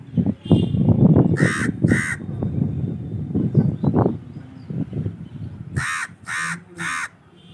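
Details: Crow calling with rough, nasal caws, two close together early on, then a quick series of three near the end, over steady low rumbling noise like wind or handling.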